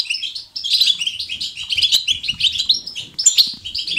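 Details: A European goldfinch's batbata twittering, natural and lively: after a half-second pause, a quick tumbling series of bright, liquid chirps and short trills, steady and energetic to the end.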